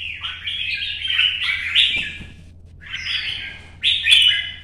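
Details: Red-whiskered bulbul singing in morning sun, solo competition style: a long flowing run of warbled whistles, a short pause, then a louder rising phrase with crisp accents.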